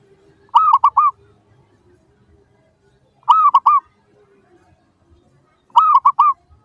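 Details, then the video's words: Repeated zebra dove song played to make other doves respond: three phrases of three bubbling, cooed notes, arriving roughly every two and a half seconds against a quiet background. "PANCINGAN Burung Perkutut Suara Paling Ampuh! Bikin Langsung Cepat Di Respons Pasti! Nyaut"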